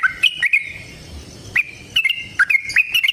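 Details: Sooty-headed bulbul fighting song used as a singing lure: crisp separate chirps and short whistled notes in small clusters, with quiet spaces between them.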